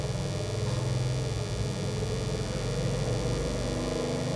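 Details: Steady low hum and rumble with faint music-like tones indoors; no animal calls are present.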